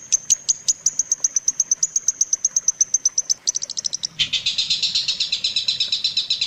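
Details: Long-tailed shrike song recorded for training other shrikes: rapid high, thin ticking notes, speeding up and then giving way to a dense, harsh buzzy chatter.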